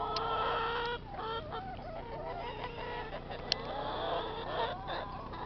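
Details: A flock of chickens clucking and cackling, with a longer harmonic call at the start, then rapid overlapping clucks repeated about three times a second over a steady low hum.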